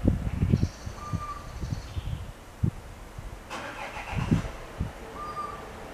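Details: A little owl sings while perched on an antenna, giving two drawn-out, even-pitched hoots about four seconds apart, each lasting half a second, over heavy traffic rumble and a passing vehicle.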